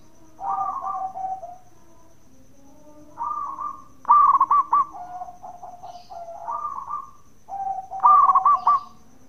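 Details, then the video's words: Zebra dove, local Indonesian bird, singing bekur to draw replies from other doves: soft level coos interrupted twice by loud staccato rolling bursts, with faint background hum. "Perkutut Lokal Gacor Suara bekur super Ampuh bikin Nyaut bunyi"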